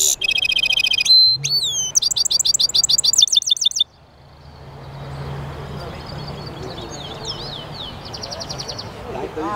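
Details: European goldfinch mule (jilguero mixto) in song: loud buzzy twittering, slurred whistles and rapid repeated trilled notes for nearly four seconds, then quieter noisy background with a faint distant twitter and a short trill near the end.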